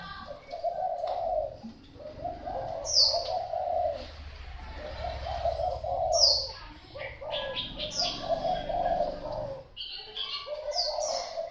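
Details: Thai spotted dove coos in repeated low, rolling phrases separated by short pauses across the recording, with scattered high, sharp chirps of other birds and a soft low rumble behind.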